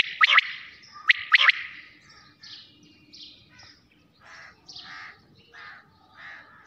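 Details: Night-time quail call: two crisp triple-note phrases open the recording, then softer, scattered chirping notes from more distant birds.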